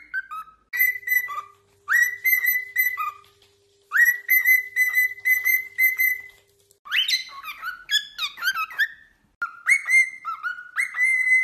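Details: Cockatiel whistled song played to train a pet bird: steady level whistled notes in short runs, then a loud rising squeal and tumbling warbled notes, followed by more even whistles; a faint steady hum in the first half.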